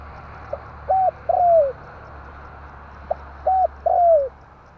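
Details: Spotted dove lure call, tarik akar style, for trapping birds: two phrases, each a tiny click-like note, a level coo and a long downward-sliding coo, against steady broadband hiss.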